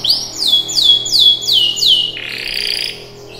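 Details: Singing canary: five clear whistled notes, each sweeping downward and repeated about every third of a second, followed by a buzzy, rattling trill; faint low steady hum beneath.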